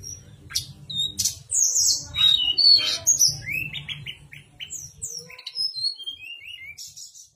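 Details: Javan sunbird's nyuling master song, meant to spur reluctant sunbirds to sing. High sharp chips open, then a series of short descending whistled notes repeated about twice per second, with a low hum early on.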